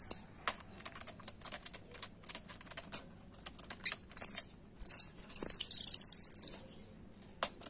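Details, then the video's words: Nuthatch 'doraemon' song, a master recording for training contest birds, described as tightly packed and full power: scattered high ticks build into rattling bursts, ending in a long, piercing, sustained trill, then a lone tick. "SUARA RAMBATAN DORAEMON FULL POWER"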